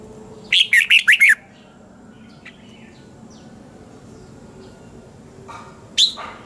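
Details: Red-whiskered bulbul morning training song: one short burst of four or five quick rolling whistled notes, then a long quiet stretch with faint chirps and a single sharp note near the end.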